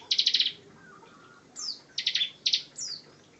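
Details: Bar-winged prinia singing loud 'ngebren' style: a rapid buzzy pulsed burst, then a pause, thin descending whistled slurs and two more quick buzzing pulse bursts.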